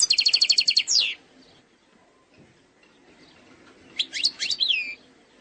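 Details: Flawless eastern-sector song of an Algerian European goldfinch: a fast, evenly repeated high trill dropping into a slurred note, a quiet gap, then a short phrase of sweeping, liquid twitters.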